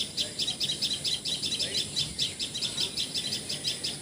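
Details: Common tailorbird calling in Assam, India, where it is called patxhia sorai or tiposi sorai in Assamese: bright, high notes repeated quickly and evenly, roughly five per second, with faint background noise.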